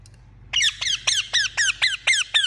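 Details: Indian ringneck parakeet kept as a pet, uttering eight loud, strident notes that each drop sharply in pitch, evenly spaced about three per second, over a low electrical hum.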